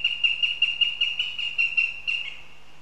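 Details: Northern goshawk recorded in Riga, Latvia on a live stream, delivering a loud, rapid cackle of harsh repeated notes, about five per second, ending in a slightly lower drawn-out note, with a low hum behind.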